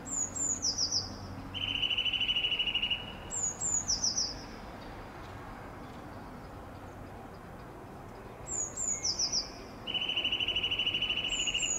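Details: Eurasian nuthatch giving two rapid, even trills about eight seconds apart, each lasting over a second, mixed with repeated short bursts of high, thin descending notes from another bird.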